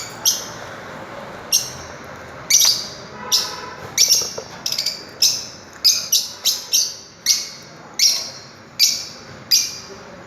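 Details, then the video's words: Fischer's lovebird calling in quick succession, a run of sharp, shrill high chirps and squawks, some doubled, repeated roughly every half second to second. "Melodious Chirping Sound of Love birds"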